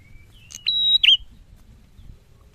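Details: Male prinia singing: a faint thin rising whistle, then a clicky onset and a loud, level, high whistle ending in a short buzzy flourish.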